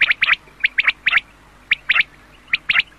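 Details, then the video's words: Quail calling, an old 2007 recording meant for night use: short sharp chirped notes in tight pairs and triplets, repeated several times within three seconds, with quiet gaps between groups. "Batair k Awaz Raat K Ley Batair ki Old Awaz 2007 || Quail Sund 2007|| Night k Ley"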